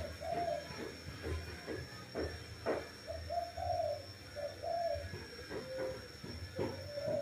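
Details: Dove giving soft, low coos in a series of short phrases, mixed with clicks, knocks and low rumbling background noise.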